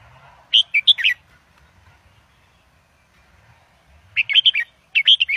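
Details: An Indo-type red-whiskered bulbul (Pycnonotus jocosus) song played to teach young birds and excite birds: three short bursts of bright, warbling, chirpy notes, each about half a second long, separated by pauses of a second or more.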